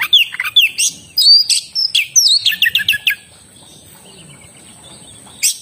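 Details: Oriental magpie-robin giving a quick run of sharp whistled and chattering notes for three seconds, then falling quiet apart from a faint steady high hum and a final brief note.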